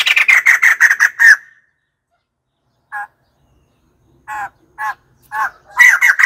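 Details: White-crested laughingthrush giving a rapid series of harsh, cackling notes, then a pause broken by single rough chuckles before another loud chattering burst at the end.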